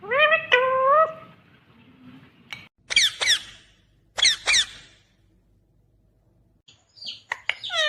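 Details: Green ringneck parrot talking: a drawn-out wavering harmonic syllable, then harsh broadband squawk-like bursts in pairs, and a few sharp notes near the end, with silent gaps between.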